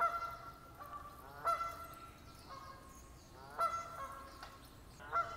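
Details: Bird near a casino hotel giving strident, reedy calls with a sudden upward sweep, several per few seconds, against a constant noisy background.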